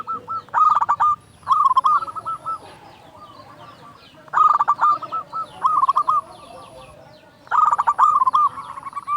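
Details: Vigorous local zebra dove song serving as a lure to make doves sing: paired bursts of rapid stuttering coos, each pair followed by a lower, softer trailing phrase, repeating about every three seconds.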